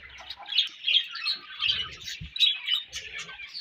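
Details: Budgerigars chirping, bright high squeaks and short warbled notes in quick succession, overlapping twitters, with a few soft low knocks.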